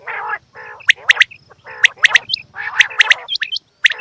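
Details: Female quail calls: repeated raspy, buzzy bursts overlapped by sharp, high chirps and hooked upslurred whistles in quick succession, forming a busy chorus from apparently several birds.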